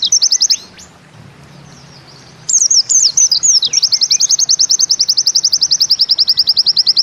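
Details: White-eye song in the 'Bustomi' style, a trilling 'nembak ziperrr' delivery: an opening burst of high, twisting notes, a short pause, then more sweeping notes running into a long, rapid, even trill of high chips.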